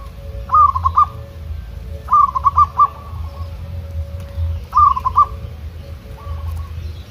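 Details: Local zebra dove, trained outdoors in the wild, counter-singing with wild rival doves. Three bright stuttering cooing phrases of four to five quick notes, answered by a softer phrase near the end, over a steady low rumble.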